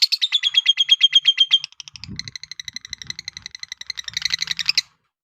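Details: Lovebird chattering in a fast, steady series of short squeaky notes, about three per second, shifting from a thin falling whistle-like run to drier clicking chirps and a louder rasping flurry, with faint low knocks underneath.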